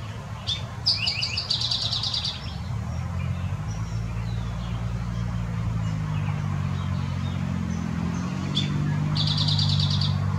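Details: Eastern towhee song from Southeast Wisconsin: two clear introductory notes and a fast bright trill, with a second song starting near the end, over steady low engine-like rumble and faint distant bird calls.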